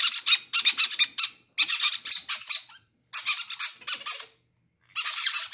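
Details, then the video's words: Baby parrots begging greedily to be fed first, a sign of health in chicks; harsh, broadband raspy squawks in bursts of rapid pulses, separated by short silences, several chicks calling in a small indoor space. "greedy baby parrots say i want to be the first to eat"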